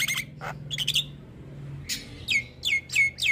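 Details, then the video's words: Caged Javan myna, training recording to get lazy birds singing: short chirps and harsh bursts, then a run of bright descending whistled notes repeated roughly every third of a second, with a low hum beneath. "Pancingan Jalak Kebo Malas Bunyi"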